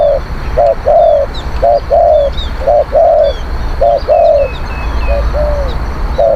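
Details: Wild doves are lured with this spotted dove song: evenly spaced phrases of a short coo and a longer hollow one, about once per second. High chirps from other small birds can be heard faintly.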